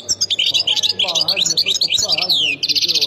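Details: European goldfinch from the Khemis Miliana area, Ain Defla province, singing a fast, unbroken twitter of high, tinkling and buzzy notes with quick rising and falling slurs, over a steady low hum.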